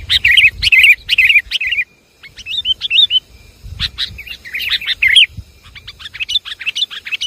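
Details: Lure call of the sooty-headed bulbul, Java: loud rolling chirps, a quiet gap, then softer curling whistles followed by dense, noisy bursts of overlapping chattering notes.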